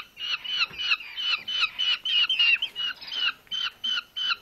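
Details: One of two starving rescued Eurasian hobby nestlings, found on a road one August evening, begging while being fed at a rescue centre: harsh, scratchy, high squeals, about three per second.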